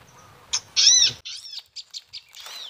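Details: A prinia (prenjak lumut, a low-dwelling species) gives a rapid run of high, thin chirps and twittering notes opening with a louder buzzy burst, over a faint hum, while MP3 playback is used near the ground to lure the birds.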